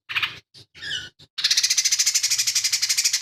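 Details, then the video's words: Lesser green leafbird singing actively, its song filled with mimicry of fighting tree sparrows, kingfisher and cililin. A few short buzzy notes open, then a fast rasping trill pulses steadily at a high pitch. "CUCAK IJO MINI GACOR"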